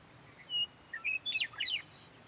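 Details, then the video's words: Western Meadowlark on a roadside fence delivering its song: a pure sustained whistle followed by short rising notes and a fast descending, bubbling warble, with a steady low hum behind. "Western Meadowlark Singing"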